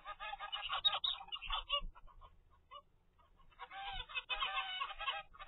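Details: Zebra finch baby at 25 days, from a pair's first clutch raised at home, gives bursts of raspy, stacked nasal calls, breaking into a near pause with a few short notes before another loud run.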